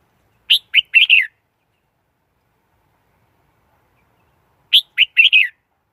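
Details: Red-whiskered bulbul singing a brisk four-note warbled phrase, sharp then rolling and liquid, delivered twice with about four seconds of silence between.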